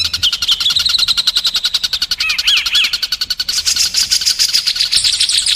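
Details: White-rumped shama song from a masteran training recording for contest birds: a dense, fast rattling roll of high notes, about three or four per second, with a few brief upslurred whistles midway and a brighter shift near the end.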